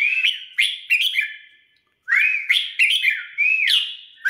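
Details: A red-whiskered bulbul being readied for singing competitions sings loud, rich whistled phrases with quick rising and falling notes, in two bursts separated by a brief pause.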